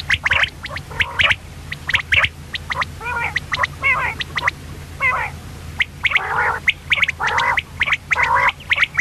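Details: Female common quail giving harsh, raspy squawks and gargled rattling notes in uneven bursts, roughly one a second, over a low steady hum.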